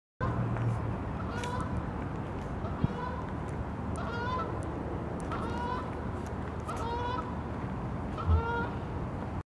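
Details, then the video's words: Geese honk on March 30, 2023 in a steady series, a nasal two-part call roughly every second or so, over a strong low rumble of wind or distant traffic. "Geese call"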